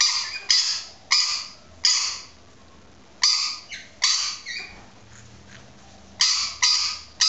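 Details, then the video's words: A pet female rainbow lorikeet gives about ten harsh, grating screeches in quick bursts with brief pauses, calling inside a small perspex box toy to amplify her voice while trying to imitate a neighbour's yappy dog. "Lorikeet that loves its own noise"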